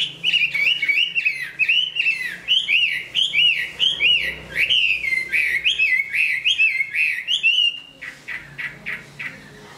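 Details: Chinese hwamei, a large-framed bird that sings and fights well, growing its new plumage; loud ringing whistled phrases, each rising then falling, repeated about every second for eight seconds, ending in a run of short clipped notes.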